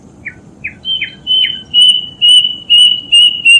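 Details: Death bird calling: a few short, slurred chirps give way to a series of longer, level, piercing whistled notes, repeated about every half second and growing louder, over a quiet low background hum.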